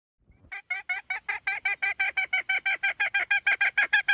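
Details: Hen giving a steady run of about twenty short, nasal, harmonic notes, around three per second, rising slightly in loudness; a faint thin high tone runs underneath.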